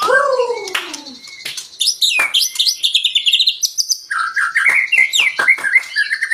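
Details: White-rumped shama song meant to excite other birds into singing: a loud descending whistle, then dense rapid twittering and chattering phrases with quick sharp notes, fairly continuous throughout.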